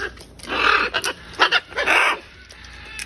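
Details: Wild macaws feeding on peanuts and fruit at a balcony in chick season, some carrying food off to their young; harsh, raspy squawks in several drawn-out bursts, with short grating notes between them.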